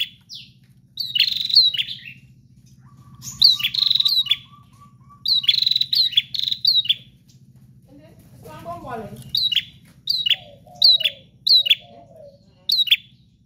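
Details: Prinia chirping in short high bursts, a steady low tone and faint hum behind, a brief noisy disturbance midway, then spaced single sharp notes repeated about every second.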